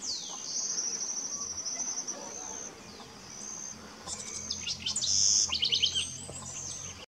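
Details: {'text': 'Wild house wren at Cocachimba, Amazonas, Peru: high, rapid chattering notes and bubbly trills build in intensity, with a loud burst of quick descending trill elements near the end over a steady hiss of insect noise.'}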